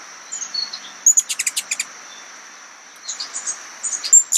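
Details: Ruby-throated hummingbird in Arkansas, feeding on nectar with pollen on its face: quick bursts of tiny, very high, squeaky chip calls, several to a second, over a thin steady high whine.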